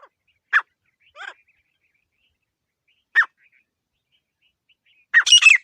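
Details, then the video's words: A desi grey francolin gives a few harsh, clipped single notes spaced one to two seconds apart, then a loud, ringing rapid burst of repeated shrill notes. "Teetar Ki Zabardast Awaaz 🔊 | Clear Desi Teetar Voice"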